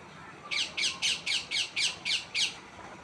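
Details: Tree parrot repeating eight evenly spaced, rough, hoarse squawks, about four per second, over a steady low background hiss.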